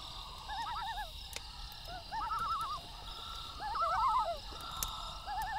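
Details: Several loons trade quavering, laughing tremolo calls at night, overlapping bursts of rapidly wobbling notes, with a soft insect chorus and light crackling of a campfire in the background.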